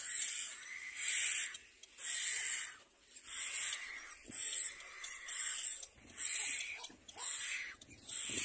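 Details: Little black cormorants, both adults together with their young at the nest: harsh, wheezy hissing bursts repeated about once a second, each broad and breathy, with brief quiet gaps between them.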